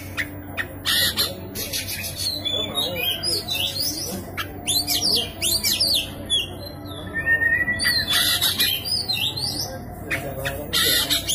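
An Oriental magpie-robin sings a loud, unbroken run of varied high whistles, slurred rising notes and harsh scratchy squawks over a faint low hum.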